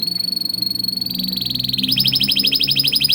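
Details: Training song for juvenile canaries: a fine, fast trill that shifts into a louder, higher, coarser pulsed rattle, over a low steady hum.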